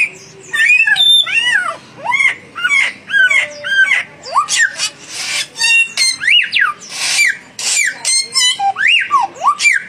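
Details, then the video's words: Young and mature samyong birds sing against each other. Arched whistled notes repeat in quick runs, with squeaky chatter and rasping bursts, steady over ten seconds. "samyong muda vs samyong mapan duel gacor"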